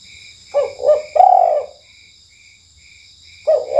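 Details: Spotted dove at night giving a KUK1 lure call: a quick pair of short coos and a longer falling note, another coo starting at the end, over evenly spaced cricket chirps.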